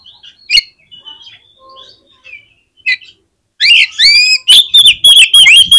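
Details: Oriental magpie-robin song for prompting other magpie-robins to respond: soft scattered whistles and chips for three seconds, then an abrupt loud burst of rapid, ringing slurred whistles and sharp notes.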